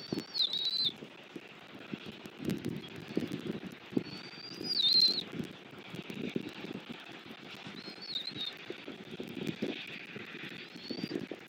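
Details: Bald eagles at a wild nest in southwest Florida on 4 February 2024 at 10:14, after rain, as the mother feeds her five-week-old chick. Thin, high squealing calls sound roughly every four seconds over low rustling and thumping in the nest.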